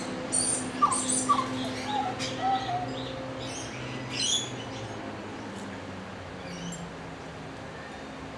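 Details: Grey butcherbird (Cracticus torquatus) in suburban south-east Queensland, Australia, giving short, clear, flute-like piping notes and brief warbled phrases; magpie-lark and rainbow lorikeets call in the background, with faint hum and scattered high chirps.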